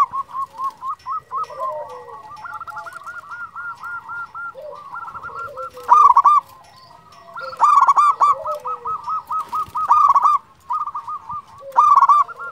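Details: Several local zebra doves in steady song, quick repeated soft coos building into loud, rippling, trilled phrases recurring every couple of seconds, with a faint steady hum behind.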